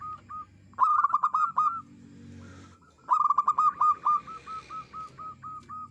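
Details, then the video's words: Clear-voiced village zebra dove serving as a lure. Two loud phrases of rapid, clipped hooked coos sit among softer single notes. The second phrase runs on into a long, even string of about eight gentle coos. "merbok kampung perkutut lokal gacor suara jernih andalan untuk pikat"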